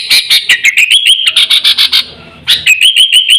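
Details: Lure call of a sooty-headed bulbul, used to draw in birds and train caged ones: quick clipped whistles, about three per second, then a brief gap and a rising run of bubbly notes.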